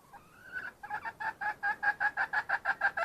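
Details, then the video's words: Wild red junglefowl hen: a drawn-out rising note, then an accelerating run of loud, clipped clucks, about three per second, to the end. "Suab poj qaib qus seev zoo kaw.. Tiến gà rừng"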